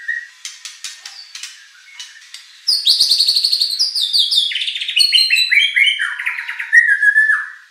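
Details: White-rumped shama song used to provoke contest birds: soft clicking notes, then a loud fast high trill, followed by a descending series of whistled phrases.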